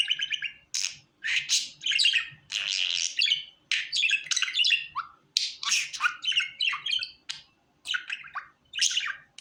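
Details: A contented pet budgie gives a busy stream of chatter, mixing scratchy buzzes, squeaky chirps and harsh rasping notes in quick, irregular runs.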